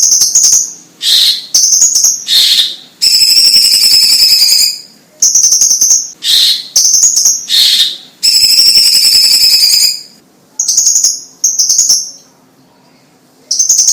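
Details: Chinese leafbird in energetic chattering song: sustained high whistles alternate with lower buzzy bursts and rich layered phrases, all over a steady fast clicking, with brief pauses between phrases.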